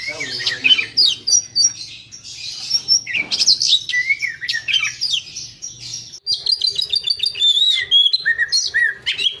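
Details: Oriental magpie-robin, a songbird of South and Southeast Asia, singing energetically: varied whistles, slurred rising and falling notes and harsh chatters in rapid succession, with a faint low hum behind.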